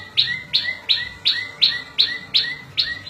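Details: Steady series of high, ringing prinia notes, roughly three per second, each a sharp peak followed by a softer, lower slurred echo. A song for tutoring cage birds and attracting wild birds.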